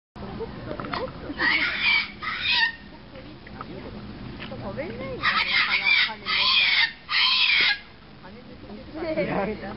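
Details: A wing-clipped blue-eyed cockatoo in a garden by the bird house entrance at Ueno Zoo, Tokyo calls while dancing in good mood: loud, harsh screeches in bursts of about a second, several close together, people talking quietly nearby.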